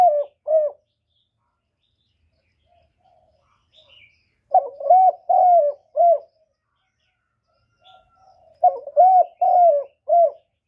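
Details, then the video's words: Spotted dove cooing to pull wild birds toward a trap site: groups of three or four soft low coos, short notes mixed with longer slurred ones, repeated with several-second pauses in a quiet setting. "Cu gù cực hay kéo bổi về tàng"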